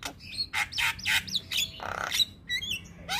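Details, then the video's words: White-eyed Javan myna calling in tutor chatter: harsh noisy squawks, a long buzzy rasp and upturned whistled notes in a brief tumbling sequence over a low hum. "MAsteran Burung Jalak Muda Agar Cepat Gacor Mompa Dengan Ocehan Jalak kebo Mata Putih"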